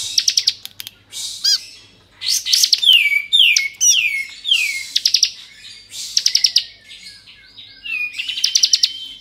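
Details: Bar-winged prinia of the Kristal type in varied song meant to provoke other prinias: ticking trills, a row of downward-swooping whistles, and buzzy rattles, repeated in short phrases.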